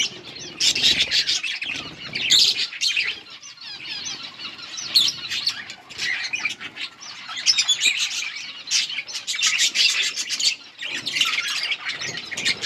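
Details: Several yellow budgerigars keep up busy, high-pitched chattering and scratchy warbling, broken by quick clicks and brief pauses, with occasional soft wing-flutter sounds.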